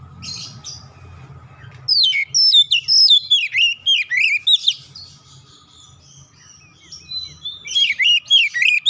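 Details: Agitated oriental magpie-robin answering a challenge, showing off its repertoire: after a low hum, a long loud run of varied whistled phrases, a pause with faint thin notes, then renewed chattering whistles.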